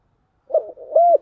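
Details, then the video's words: A spotted dove gives a brief fragment of its thổ-style chiêu gù coo: a soft opening note followed by a smooth, arching hollow coo. "cu gáy giọng thổ chiêu gù"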